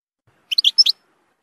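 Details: Short burst of European goldfinch song for tutoring young goldfinches: five quick bright twittering notes within half a second, then silence.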